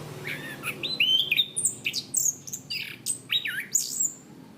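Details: Orange-banded thrush (Zoothera interpres), a kept songbird, in a masteran training recording of gacor ngeplong singing: a rapid run of varied clear whistles and sharp high notes, some slurred downward, separated by brief gaps, over a faint low hum.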